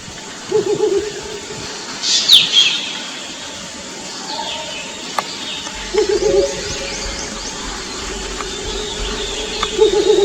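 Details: Mottled Wood Owls, a courting male and a responding female, exchange low, quavering hoots a few seconds apart at night, telling each other their location; a brief high whistle and steady hiss too; finding: Mottled wood owl.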